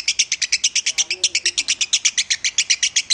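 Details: Lovebird song used as a training master, described as in the Minor style: a fast, even run of high, sharp chirps, about seven per second, repeated without a break for the whole stretch.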